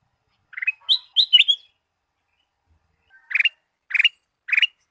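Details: Sooty-headed bulbul singing in a recording meant to provoke pet birds into song. Three clear slurred chirps come first, then a pause, then three evenly spaced bubbly notes. The background is quiet.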